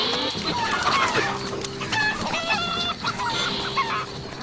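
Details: Backyard domestic cockerels give the aerial alarm call as a bird of prey swoops, harsh, ringing cries in quick bursts over clucking hens and other voices; the hens take cover under bushes.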